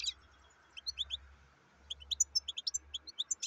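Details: Fainter, high twittering notes from a black-headed goldfinch, scattered chirps building into a quicker run, with a low rumbling hum underneath.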